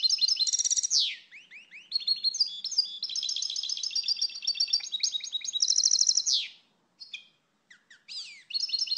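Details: European goldfinch in full song, a long run of fast tinkling twitters and metallic trills broken by buzzy swept notes, ending in a brief pause before more twittering.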